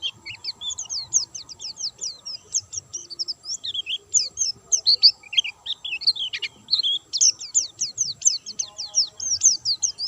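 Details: White-eye in full, vigorous song, kept without doping: a fast stream of high, thin, sweeping chirps, many rising or falling sharply, packed closely for the whole ten seconds with only short gaps.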